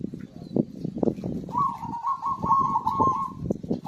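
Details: Zebra dove singing vigorously, used to prompt birds that have stopped singing: one long warbling, trilled coo phrase in the middle, steady in pitch, over a dense low clattering background.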